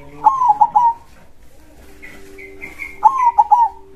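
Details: Local zebra dove (perkutut) giving a loud, deep, krosing-style song: a rising coo followed by quick rolling notes, repeated twice, with a few higher chirps from another bird between phrases.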